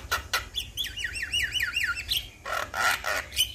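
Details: Male Javan myna calling other mynas, drawing replies: two harsh squawks, then a rapid string of about eight wavering, looping whistled notes, followed by further rasping squawks and a short high whistle, over a low hum.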